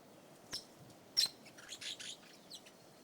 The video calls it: Red Rumped Parakeet Sound